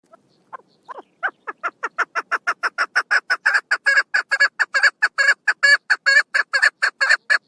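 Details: A female chukar partridge gives a rising series of hoarse clucks, a few hesitant notes at first, then a regular, accelerating chuk-chuk-chuk sequence that becomes louder and steady, recorded on 1 June 2022.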